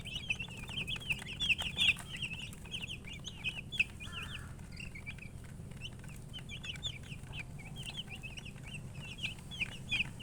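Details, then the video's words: Baby chickens keep up a steady stream of thin, high, quick peeps, loudest early on and then slightly softer, with a faint low hum throughout. "Baby "Chicks Chirping" Sound"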